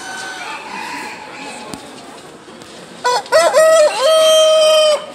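A Brahma rooster crows: a few clipped opening notes, then a long, hoarse, level final note lasting about a second. A fainter, distant call sounds earlier.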